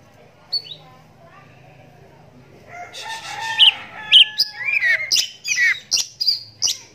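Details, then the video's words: After a quiet start with a faint low hum, a caged one-eyed oriental magpie-robin bursts into a run of sharp whistles, chirps and swooping notes during the second half, the song meant to make other magpie-robins answer. "Walau Matanya Buta Tapi Suaranya Mampu Bikin Kacer Lain Langsung Nyahut"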